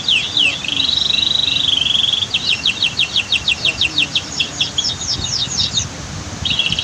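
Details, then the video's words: Canary song recorded outdoors by a waterfall and dam: a wavering warbled phrase, then a long burst of rapid, sharp, repeated chip notes, ending in a steady whistled tone, with soft water rush. "Masteran Kicau KENARI Terbaru 2022"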